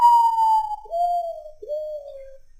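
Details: Nyctibius griseus, the common potoo, singing in nature: a loud plaintive whistle gliding gently downward, followed by two shorter, lower whistled notes, each sliding down. Together they form a sad descending three-note phrase.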